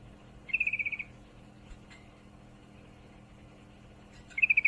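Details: A female sooty-headed bulbul in breeding condition calls for a male: two rapid, rattling strings of about eight sharp high notes, roughly four seconds apart, with near silence in between.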